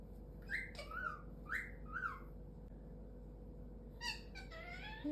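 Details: Captive galah, a rose-breasted cockatoo, chatting while cuddling its owner indoors: four short harmonic squawk notes in quick succession, a pause, then a run of higher rapid chattering notes, with a low room hum throughout.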